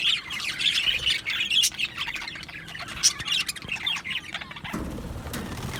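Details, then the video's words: Two male Australian budgies chirping in a rapid, scratchy warble of high notes; partway through, the chatter fades and a low background rumble takes over. "2 Male Budgies Birds Sounds | Australian Budgies Birds chirping sounds"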